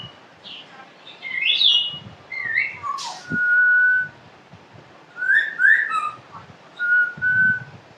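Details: A pet African grey parrot gives a run of mixed vocal sounds: short swooping whistles and chirps, then steady flat whistled tones held for about a second, separated by brief pauses.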